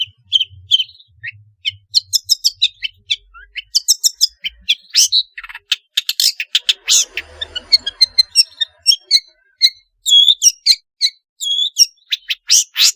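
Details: Long-tailed shrike in energetic, varied song, used as a lure for lazy shrikes: a long, dense stream of high chirps, twisting whistles, clicks and brief harsh rattles, delivered almost without pause.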